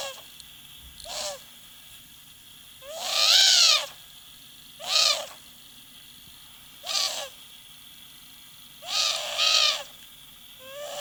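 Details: A pet female owl in Moscow, Russia gives harsh, wavering squawks in short bursts, a complaining call of unhappiness while her owner plays with her feet.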